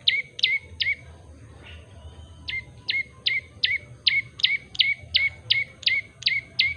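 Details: Prenjak lumut, a common tailorbird, singing clearly: a few loud chirps, a short pause, then a steady run of sharp, high, down-slurred notes repeated about three per second against faint background hum.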